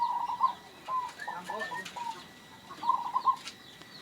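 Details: Local zebra dove, a bird that calls often, with a sound described as odd, rare, antique and unique: two short bursts of rapid, rolling mid-pitched coo notes at the start and near the end, with scattered clucks and other bird notes in between.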